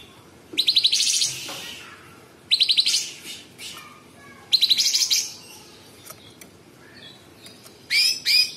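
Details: Sooty-headed bulbul singing in rough, close-spaced tembakan bursts. Rapid, stuttering, buzzy trills repeat every couple of seconds and end in two sharp, scratchy notes.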